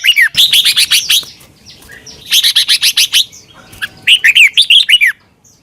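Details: Three lively phrases of quick, bright bulbul whistles, each of about six notes. Red-whiskered bulbul from Thailand, a recording played to caged birds for training.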